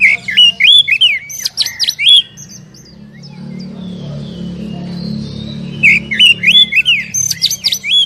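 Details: Oriental magpie-robin singing, recorded as a lure for a captive bird that is slow to start: two bursts of fast, twisting whistled phrases with shrill high notes, separated by a three-second lull filled with a steady low hum.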